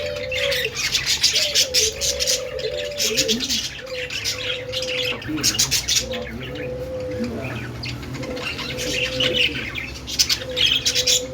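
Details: Continuous budgie warble of buzzy chirps, clicks and sharp squeaks, with louder bursts near the start and end, accompanied by a low, repeating drawn-out tone underneath.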